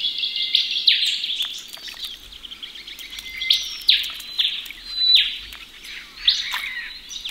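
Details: Ring-necked parrots bathing in a pond in Australia give bright, high chirping calls, several rising and falling notes repeated in bursts about a second apart, with splashing water and faint low rumble beneath.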